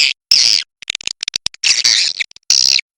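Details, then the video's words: Edible-nest swiftlets along the Kapuas River: dense, buzzy high-pitched chirring bursts of about a third of a second, separated by quick clicking ticks. "SUARA BURUNG WALET SUNGAI KAPUAS"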